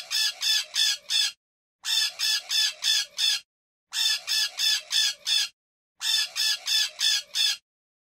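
A parakeet gives harsh, grating screeches in rapid bursts of four or five notes. The bursts repeat about every two seconds with brief pauses between them.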